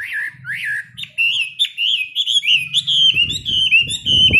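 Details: Chinese hwamei, a cage bird, singing during its daily morning practice: varied rising and swooping whistles that run together, over a low humming and rumbling background that grows louder near the end.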